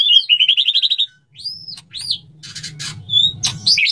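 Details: Courting male white-rumped shama singing to a female before mating: rapid trill of repeated notes, then arched whistles and harsh bursts over a low steady hum.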